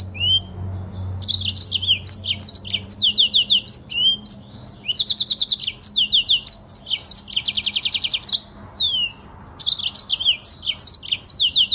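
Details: Yellow-fronted canary song in the long rolling style with fast, tight delivery, used as master audio for training: high sweet whistled notes in quick repeated series, broken by dense buzzy trills, with a short pause near nine seconds.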